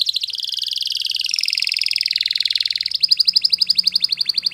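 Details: Yellow canary in morning song: a continuous rapid high trill of pulsed notes, steady and buzzy, then shifting to a slightly higher, crisper rolling phrase of evenly spaced notes.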